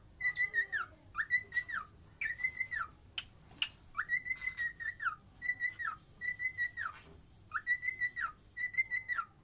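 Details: Singing cockatiel repeats a whistled phrase roughly every second: a quick rise, a held level tone, then a falling slide, with a few sharp clicks between phrases.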